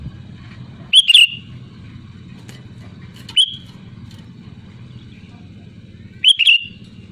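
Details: Sooty-headed bulbul in loud, lively song meant to lure others into singing: three brief, liquid, chortling whistled phrases spaced a few seconds apart against a constant low hum.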